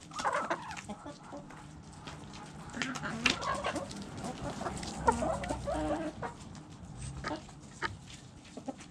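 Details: Several chickens eating together, dense overlapping pecking taps and scattered muffled clucks forming a busy, continuous clatter with a low background rumble.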